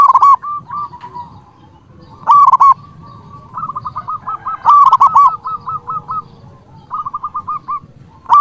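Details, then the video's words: Zebra dove song meant to call out rivals and stir other doves. Loud ringing coo bursts overlap softer, rapid cooing runs from other doves, with a low rumbling background throughout. "Perkutut lokal gacor Suara BESAR ampuh memanggil lawan BUNYI EMOSI manggung"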